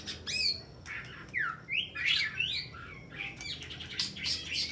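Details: Fighting-style song of a white-rumped shama in a contest, crouching to dominate its rival and loaded with sharp small-bird imitations: steep downward and upward slurred whistles, harsh rasps and scattered high chirps.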